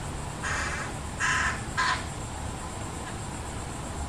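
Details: Three nasal, clipped calls from a fish crow family, adults feeding a single fledgling; the calls come at uneven intervals about half a second apart, with a constant low rumble behind them.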